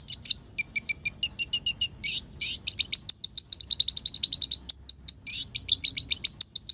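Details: Olive-backed sunbird singing vigorously, a lure song rich in borrowed notes meant to make other birds quickly agitated; rapid high sharp chirps and trills, about three to four notes per second, with brief buzzy bursts and no other sounds.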